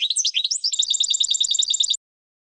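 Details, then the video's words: Training song of a European goldfinch meant to teach birds: a few swooping whistled notes leading into a fast, rhythmic, rattling twitter repeated many times, then silence. "12h GOLDFINCH 1st Champion"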